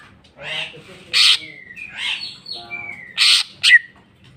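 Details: Greater green leafbird singing its full repertoire of fillers: raspy bursts alternate with clear gliding whistles and buzzy warbles, then two loud harsh notes close the phrase.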